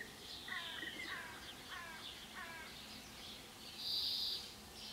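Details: Common cranes that landed right behind a garden fence, recorded at about 7am, give four distant, rich trumpeting calls about half a second apart, each slightly downslurred, over a steady hiss with a brief louder rush.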